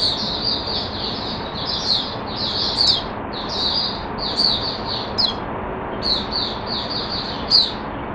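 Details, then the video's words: Caged Oriental white-eye singing, on drinking water mixed with a health supplement, recorded 5 May 2022: continuous rapid high twittering phrases, warbled and slightly buzzy, with brief louder bursts every second or so over steady low background hum. "Mata Puteh Hercules V1 buka sing"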